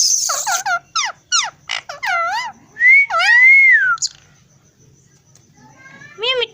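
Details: Pet talking parrot gives a rapid run of sweeping, harmonic speech-like notes, then one long arched whistle, a brief gap, and a final short word-like call.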